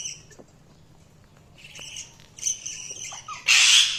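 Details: Budgerigars chirping: thin, high twittering notes in short bursts over the second half, ending in a loud harsh squawk. The background is quiet.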